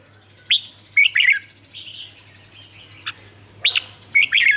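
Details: Red-whiskered bulbul, a caged lure bird from Vietnam used to train other bulbuls to sing, giving loud bright whistled phrases in bursts near the start, middle and end, with softer warbling between and a steady low hum behind.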